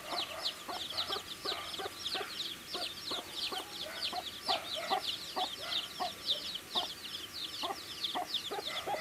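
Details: A group of baby chickens at their food, with a crowded stream of shrill, brief chirps and frequent soft pecking knocks underneath.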